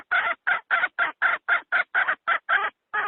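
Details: Domestic hen calling as a decoy to lure wild fowl into traps: a fast series of about eleven harsh, buzzy cackles, each short and evenly loud, with brief silent gaps between them.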